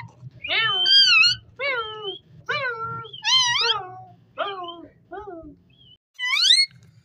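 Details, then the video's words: Ring-necked parakeet talking, a run of loud, harmonic, squawky voice-like syllables with sweeping pitch, some rising and some falling, delivered in short bursts with brief pauses; faint low background music underneath. "Amazing parrot talking"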